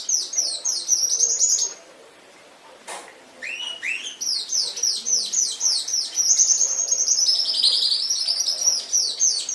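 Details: Canary song recorded as a master track for training pet canaries: rapid series of high, sweeping trilled notes repeated several times a second, a brief pause with a click, then the dense rolling trills resume.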